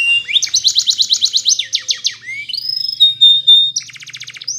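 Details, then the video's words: Spanish Timbrado canary morning song: a quick run of evenly repeated falling notes, rising slurred whistles, a held pure tone, then a short rapid buzzy roll. "Canary TIMBRADO Singing In The morning"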